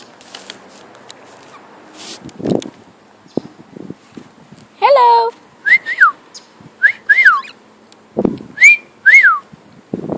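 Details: Pet cockatiel whistling indoors: a burst of rough notes, then a run of clear whistles that rise and then fall, given in pairs. Soft background sounds and rustling come between the whistles.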